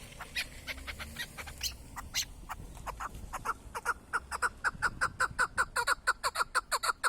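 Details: Chukar partridge, a hunting bird, starting with scattered uneven clucks that settle into a loud, evenly spaced chuk series about twice per second, growing steadier toward the end.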